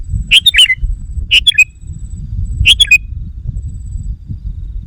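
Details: Sooty-headed bulbul calling as a lure for wild birds: three short, bubbly, gurgling phrases, each of a few quick liquid notes and spaced roughly a second apart, over steady low background hum.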